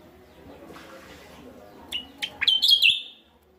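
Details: West Java Javan myna lure: after low background rumble, three sharp rising notes lead into a drawn-out harsh, wheezy chatter.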